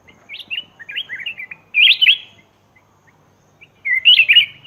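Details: Lure call of a black-crested bulbul from Laos: a run of quick chirpy notes, then a loud rich warbling phrase and, after a pause, another jumbled bright burst of slurred whistles.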